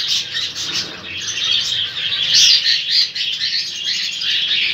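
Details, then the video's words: Fight between lovebirds and an Indian ringneck: continuous shrill, rapid chattering squawks with scratchy high notes, loudest in the middle. "Indian rangnick fight love bird"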